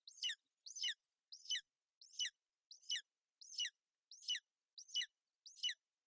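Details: At a Bucovina nest, a female golden eagle keeps her chick warm and dry in bad weather on 28 May 2021; thin, bright chirps drop steeply in pitch, nine evenly spaced notes in a row.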